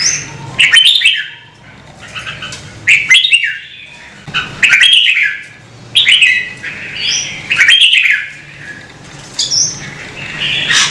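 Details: Red-whiskered bulbul in song, prompted by its keeper, repeating lively whistled phrases about every one and a half seconds, each with a bright upward slur and tumbling notes, plus occasional sharp clicks.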